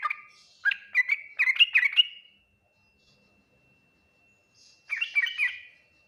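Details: Yellow-vented bulbul giving Ngriwik, Nguplik, Tuklik-Tuklik style song meant to provoke replies from other bulbuls; a short string of about six rising chirpy notes, a silent gap, then a brief three-note phrase.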